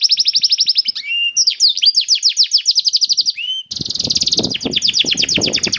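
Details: Canary song to encourage other canaries to sing: fast high trills and whistled slides, then a denser rapid trill over a noisier background.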